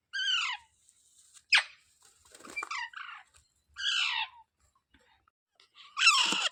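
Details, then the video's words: Parrot making loud, harsh, falling squawks separated by short gaps, with a sharp click and some scratchy chatter between calls. "Natural Parrot Sounds"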